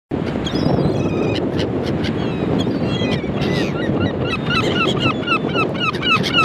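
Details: Gulls calling over a steady rushing background, with faint cries early on and a run of short, downslurred squealing calls repeated quickly in the second half.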